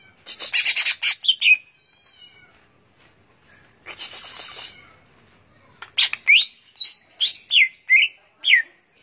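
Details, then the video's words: Greater green leafbird (cucak ijo) song: a rapid burst of high chattering notes, a soft scratchy pause, then a series of separate clear whistles that rise and fall in pitch. "bird leaf green action cucak ijo"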